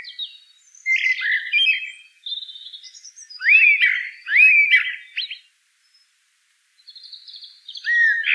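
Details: Common blackbird song: several rising, fluting whistles in quick succession, interwoven with faint high chatter, then a pause and a fresh mellow phrase.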